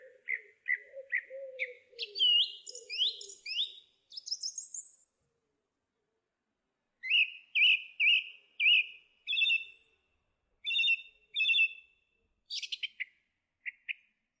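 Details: Song thrush in full song: quick clipped notes, a twittering flourish, a pause, then a crisp phrase repeated several times before scattered high squeaks, with a faint low hum early on.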